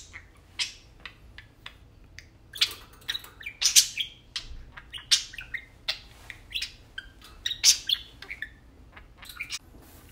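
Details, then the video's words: Two tame pet parakeets talking while playing indoors, continuous irregular warbling chatter of chirps, squawks and whistled notes. "Tame parakeets talking and playing"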